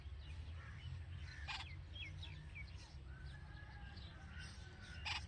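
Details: Red-vented bulbul mother with hungry nestlings at the nest, chirping: short high chirps and rising squeaks scattered through, a thin drawn-out whistle near the middle, over a constant low rumble.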